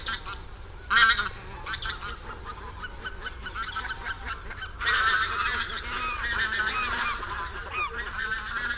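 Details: A flock of over 200 barnacle geese on the Warthe floodplain at Słońsk, Poland, on 11 March 2015, keeps up a dense, overlapping chorus of short, yapping barks, with a louder burst near the start and steady chatter throughout.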